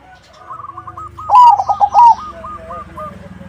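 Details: Zebra dove in 'crossing'-style song meant to draw answers from other doves; one loud phrase of a whistled note, quick pulsed coos and a closing whistle, over a fainter dove repeating short notes in the background.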